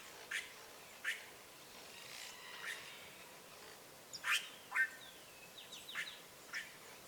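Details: Free-flying azure jays at a rural feeding spot give occasional harsh, grating calls, some doubled, with soft rising whistles and other birdsong in the background.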